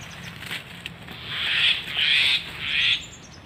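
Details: Common myna, known locally as shalike or moina xaliki, giving three harsh, buzzy, grating notes in quick succession, with faint wing flutters and light rustling before them.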